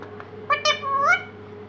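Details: A pet parrot, described as moody, talking in a sweet voice indoors: short high, nasal syllables, then a drawn-out rising tone, with a person speaking to it just before.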